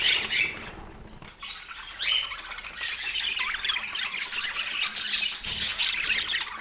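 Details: Parakeet kept as a pet, eating breakfast on an autumn morning in natural light; quick squawky notes and rapid chirps, about three per second, with a short quieter dip near the first second.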